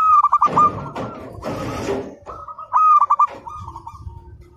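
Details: Local zebra dove, singing actively, recorded as a training master: bursts of rapid rolled cooing notes broken by two loud rustling, clattering noises, then trailing softer coos.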